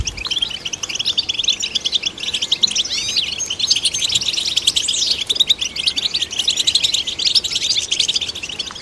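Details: Continuous, bright twittering song of a European goldfinch, meant to stimulate goldfinches, made of quick chirps, slurred upward whistles and scratchy trills layered at a steady high pitch for nearly nine seconds.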